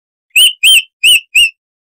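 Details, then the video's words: Chestnut-vented warbler of southern Africa's scrub, its loud, clear 'crystal' voice used as a tutor recording for songbirds: four short, bright whistled notes with ringing overtones, evenly spaced, in otherwise silent surroundings. "Masteran Burung Luar Negeri Suara Asli Kristal HD - Chestnut-vented Warbler (Sylvia Subcaerulea)"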